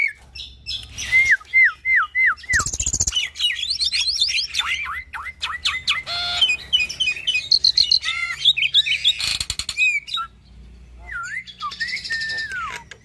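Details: Persistently singing hybrid of Nias hill myna and Asian pied starling, captive, in a long medley: down-slurred whistles, buzzy bursts, fast chattering notes, and a rising-then-falling whistle near the end.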